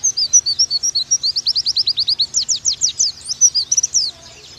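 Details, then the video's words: Oriental white-eye song used as masteran to make pleci 'nembak': a steady, fast series of thin, high, downward-slurred chirps, growing louder and sharper midway, ending abruptly just before the clip stops. "Pleci Bakalan Nembak Pake masteran ini!!!"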